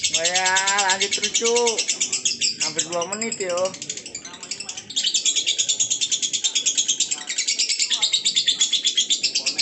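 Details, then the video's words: Men talking loudly at first over a lovebird's continuous rapid high trill. The ngekek then carries on clearly on its own for the second half. "ngekek durasi panjang"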